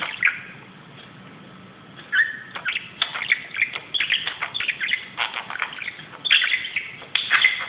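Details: Budgerigar romping on top of a closet indoors; a quiet opening gives way to continuous rapid chirps, clicks and scratchy warble notes.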